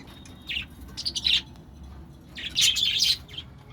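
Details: Budgerigars (Melopsittacus undulatus) in a breeding colony, in their second breeding, give bursts of bright, scratchy chirps and warbles in short clusters.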